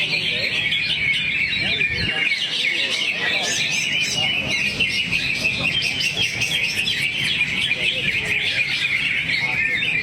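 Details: Greater green leafbird spilling out its song material nonstop: fast, high twitters and slurred whistles layered densely, barely interrupted, with faint background noise.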